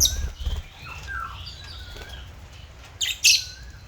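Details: African lovebirds as pets: soft wavering whistles and wing flutters, then two loud, harsh chirps near the end.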